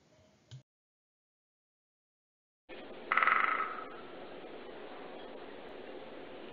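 A Great Spotted Woodpecker gives one loud, sharp, high call over steady background hiss.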